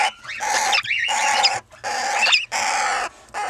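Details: A two-year-old Red-winged parrot pair with their first 20-day-old young. Raspy squawks alternate with thin, twisting squeaky notes rising and falling, in irregular bursts.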